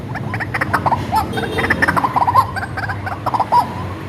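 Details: Hand-raised white-breasted waterhen used for luring birds: rapid, jumbled nasal croaks and clucks, some rising and falling, tumbling together in a busy burst over a faint low hum.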